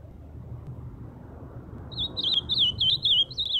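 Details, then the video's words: Ultramarine grosbeak singing live: after a stretch of low background rumble, a quick warbling phrase of high, sweet whistled notes that swoop up and down in close succession. "Canto do azulão ao vivo!"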